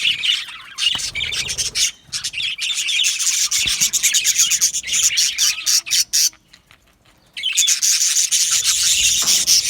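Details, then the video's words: Yellow male budgerigars in steady chirping chatter: rapid raspy twitters and squeaks, a brief lull near the end, then the busy warbling resumes loudly. "Beautiful Yellow Male Budgies Birds Chirping sounds"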